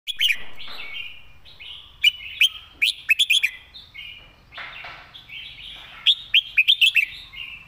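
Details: Caged Red-whiskered bulbul, praised as a keen singer with a good voice, gives bright whistled phrases of quick chirpy notes that rise and fall, repeated several times, with softer warbling between bursts.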